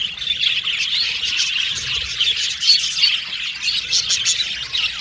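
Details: Cheerful Australian budgies chirping together, short high tweets and squeaks packed closely, with a few clearer whistled notes cutting through the flock's chatter.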